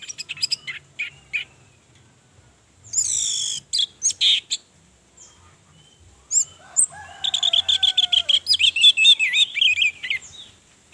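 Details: A female orange-headed thrush sings to provoke males into song, mixing scattered high chips and sweeping notes, then ending in a fast, even series of sharp whistled notes.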